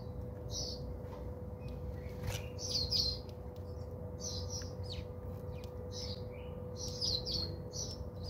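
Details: House sparrows bathing at a home in South Africa give short, bright chirps in loose bursts, roughly a dozen across the stretch, over a steady low electrical hum and soft background rumble.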